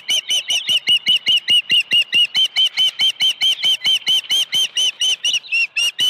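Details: Osprey at the nest, early-morning feeding on 1 June 2019: a fast, steady run of loud piping whistled chirps, about twenty-five notes repeated nearly evenly, a pause near the end, then more.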